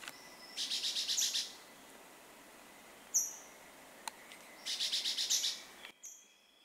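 Chestnut-bellied euphonia giving two bursts of rapid, harsh, buzzy notes, about six each, high-pitched, with a short thin whistle between them.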